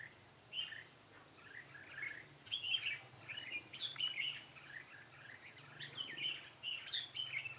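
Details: Red-whiskered bulbul decoy singing to bring wild birds to a trap, 13 March 2017. Sparse chirps at first, then lively bursts of bubbling, whistled phrases that grow denser through the second half.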